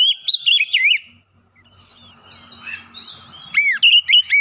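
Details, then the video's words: Oriental magpie-robin singing a clear lure song to spur silent magpie-robins to sing: rapid whistled warbles, a quieter stretch of soft notes over faint low hum, then loud sharp swooping whistles. "kicauan jernih Kacer pemikat | KACER macet bunyi langsung ikutan gacor"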